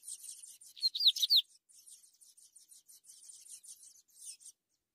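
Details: Ultramarine grosbeak chicks being fed, giving a dense run of high, scratchy chirps, with a brief louder burst of clear up-and-down whistled notes near the middle before the chatter fades out.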